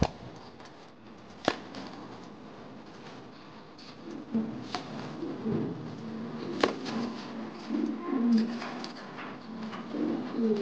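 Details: Male modena king pigeon, angry and displaying, coos deeply in a small indoor space; after sharp clicks, low throaty rolling coos build and repeat through the second half, several in quick succession.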